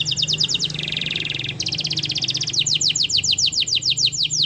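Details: Canary singing to stimulate a silent canary: rapid repeated chip trills, a brief dense buzzy roll, then a long series of quick descending notes, with low hum beneath.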